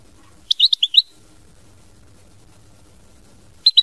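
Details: Goldfinch in mama binette song style giving a quick run of five sharp, high chirps, then a long pause before a second brief twittered phrase at the end; soft low hum underneath.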